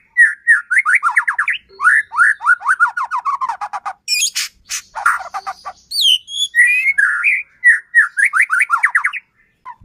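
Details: Caged white-rumped shama singing loudly to provoke a rival shama, rapid series of rising slurred whistles repeated in runs, broken by harsh high chattering bursts and a few sharp squawks.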